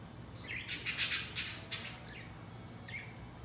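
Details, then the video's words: Pet budgerigars playing with new wooden toys, giving a short burst of scratchy chirps and chatter, followed by a couple of soft rising calls over a steady low background hum. "Budgies Got New Toys 小鹦鹉有了新玩具"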